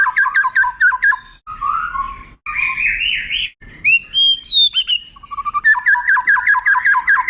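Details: White-rumped shama song with long prolonged phrases, used as a tutor for contest birds to copy: rapid repeated two-note whistles, then harsh buzzy phrases, rising sweeping notes and high whistles, ending in fast repeated whistled notes again.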